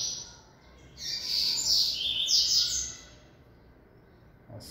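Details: A newly acquired captive Capped seedeater, a black-capped, yellow-billed male with a bib, recorded 3 February. It sings a high, rapid twittering phrase of quick chirps and trills lasting about two seconds, over quiet background hiss.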